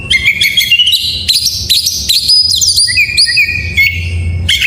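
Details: Oriental magpie-robin full-fill song, used as a master recording to coax reluctant magpie-robins into singing: rapid varied whistled phrases, sharp rising and falling notes and clear sustained whistles shifting in pitch, with a faint low hum underneath.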